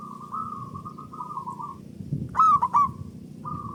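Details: Local zebra dove singing loudly as a lure to stimulate other doves: a long wavering rolling coo, then a ringing accented triple note that runs into a trill, and another roll starting at the end.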